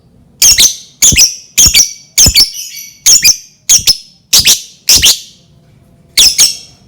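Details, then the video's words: Rapid string of harsh, high lovebird squawks, about ten doubled chirps within seven seconds, loud and close, played to prompt other lovebirds to sing. "Pancingan Lovebird dijamin Lovebird lain langsung bunyi"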